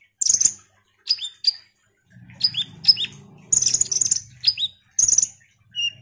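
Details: Ruby-cheeked sunbird in active song, played to make other sunbirds excited: shrill chatter bursts, paired high notes dropping sharply in pitch, and a short thin whistle at the end, with a soft low hum underneath.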